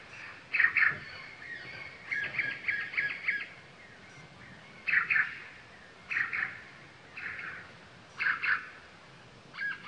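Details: A male Sultan tit at Latpanchar, Siliguri, Darjeeling district, West Bengal, India, in February 2018, gives harsh, chattering bursts of two to four notes, repeated about every second over a quiet outdoor background.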